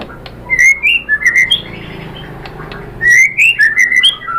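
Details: Shama song used to spur other shamas to sing: two bursts of clear, fluty whistles that slur up and down, separated by a quieter pause.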